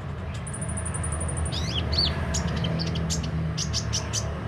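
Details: Kolibri ninja sunbird singing: a thin, high buzzy trill held for about a second, then swooping slurred notes and a string of short sharp chirps, set against a low continuous rumble.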